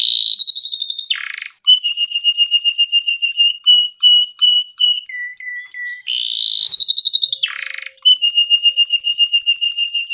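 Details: Canary giving a long gacor song used for baiting and mastering other birds: bright whistled notes in steady rapid repeated series, some dropping in pitch, broken by short harsh buzzy rolls.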